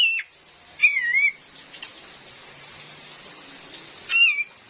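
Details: Cream-vented bulbul female, recorded with real rain as a trapping lure; brief whistled slurs opening, near one second and again near four seconds, separated by quiet rainy hiss.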